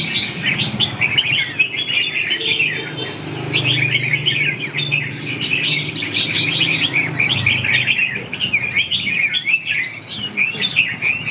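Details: Red-whiskered bulbul giving dense, overlapping bright chirps and warbled phrases, nearly continuous for eleven seconds, with a low hum beneath.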